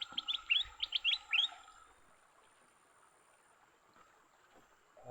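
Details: Leafbirds fighting, caught in a fight: a quick burst of about eight sharp, rising chirps in the first second and a half, high-pitched and evenly bunched, followed by near silence with faint background hiss.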